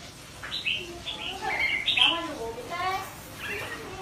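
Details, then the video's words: Young white-rumped shama rehearsing its song. It makes a rambling, quiet subsong of soft whistles, slurred notes and short trilled bursts, with no clear pattern. "Chích chòe lửa non tập hót / Luyện giọng chòe lửa"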